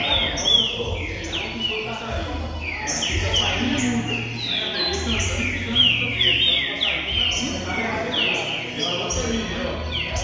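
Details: Green-winged saltators in a warm-up recording for a pet bird: a continuous dense chorus of ringing, downslurred whistled notes, repeated and overlapping throughout, above a low humming background.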